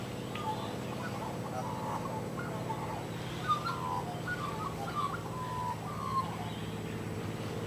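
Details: Australian magpies socializing in suburban Sydney trade soft, fluty warbles and short gurgling notes in uneven bursts, over a steady low engine-like hum.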